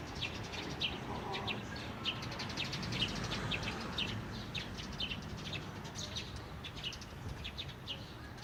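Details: Birds at Jecheon station square on Saturday, 9 April 2016: many short, high chirps and tweets from several birds overlap irregularly, about two per second, over a steady low rumble of town noise.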